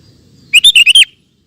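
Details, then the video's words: Loud, clear phrase from a sooty-headed bulbul recorded for tutoring caged bulbuls: five fast, rich whistled notes in half a second, wavering up and down, then silence. "Suara Burung Kutilang Gacor Cocok Untuk Masteran"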